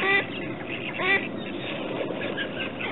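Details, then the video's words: Mallard ducks giving two short, nasal, harmonic quacks about a second apart, followed by a steady background hum and rustle. "Kaczki krzyżówki"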